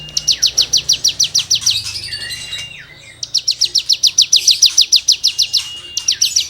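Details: Song of a cigun, meant as tutoring material for songbirds: a steady machine-gun run of high, scratchy notes lasting over a second, a short gap with soft twittering, then another long rapid run.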